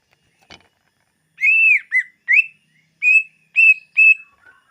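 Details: Greater green leafbird whistles for luring wild birds: a series of six clear, ringing whistled notes, some arched, some level, spaced roughly half a second apart, after a faint click, ending with two soft lower notes, no other sounds.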